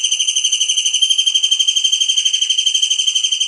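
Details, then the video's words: Kingfisher singing for songbird tutoring: an unbroken piercing trill of very even rapid pulses, about three per second, steady in pitch throughout. "masteran burung Tengkek udang gacor"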